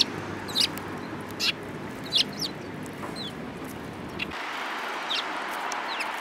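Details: Eurasian tree sparrows recorded 7 March 2018, among them a yellow-beaked bird; quick chirps and short slurred tweets in clusters, with background hum that drops away partway through.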